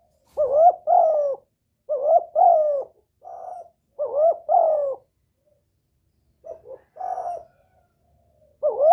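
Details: Spotted dove giving its lure call to bring in wild males: a rhythmic series of paired throaty coos, each pair with a bending second note, repeated roughly every two seconds in a quiet setting.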